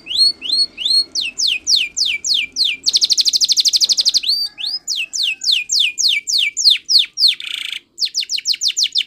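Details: Spanish Timbrado canary training song: series of fast rising whistled slurs, a dense buzzy rolling trill near the middle, then more rapid upward sweeps and another short burst of metallic trill.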